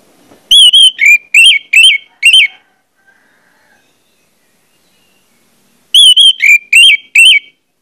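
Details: Orange-headed thrush used as a singing lure for others of its species: two matching phrases of five or six sharp, slurred whistles, separated by a long pause of near silence.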